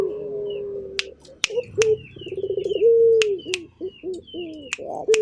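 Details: Turtle dove in active voice: a long, steady low coo, then broken, wavering rolling coos and a held note, with scattered sharp snapping clicks and faint high chirps from other small birds.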